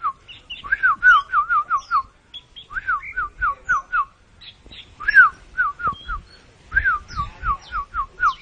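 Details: Kacer, or oriental magpie-robin, puffed up like a balloon while singing mbagong mbesi: fast runs of sharp, downslurred whistled notes, about five to six per second, in three bursts with short gaps, plus thin higher chips.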